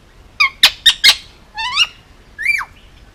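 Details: Male Indian ringneck parakeet, almost two years old, handfed and kept as a pet on Oahu, Hawaii, gives four sharp harmonic squawks, then two rising whistled notes and a final bent whistle, indoors and otherwise quiet.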